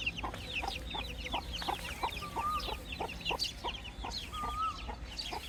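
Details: Many baby chicks chirp in a lively chorus of high, downward-curving peeps, with two longer clear whistled notes and regular soft clicking sounds.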